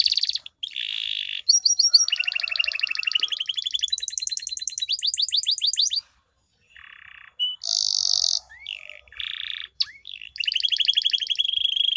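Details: Canary lure song for coaxing silent birds to sing: long rolling trills and rapid pulsed phrases, a brief pause, then a loud burst, a few swept whistles and further extended buzzy rolls.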